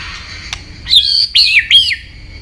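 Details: White-rumped shama giving three loud, arched whistled notes after a single sharp click, against a faint steady high hiss.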